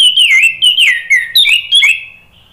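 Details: Orange-headed thrush singing to prompt other birds to respond: a continuous stream of sweet, loud whistled notes with rapid swoops and slurs, varying phrase to phrase, then fading at the end.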